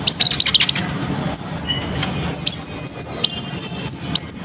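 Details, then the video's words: Sunbird in full, lively song used as a lure for other birds, delivered sharp and clear: high, thin whistled notes with quick downward slurs and short flicks, in bursts after a scratchy opening, over low background rumble. "Pancingan Burung Konin Gacor full Isian, Suara Pedes & Jernih"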